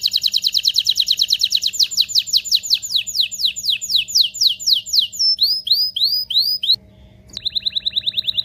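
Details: Canary mating song to prepare males and females: a long series of quick downward-slurred notes, then arched rising notes, a short pause, and a renewed rapid trill.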